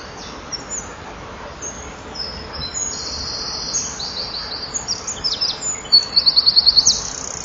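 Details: Male Eurasian wren singing for nearby females at a breeding-wall camera, 7 June 2012, 16:57; quiet high buzzy notes build into a louder, rapidly repeated trill near the end, over faint background hiss.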